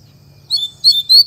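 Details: Double-collared seedeater in Mack song, caged: three short loud high whistled notes, the last a clear rising tone, after half a second of quiet.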